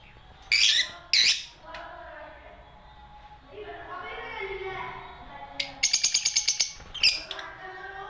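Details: Lovebirds singing: sharp, high, squeaky chirps, then a quick burst of about eight clicking chirps, with softer, lower warbling tones running underneath.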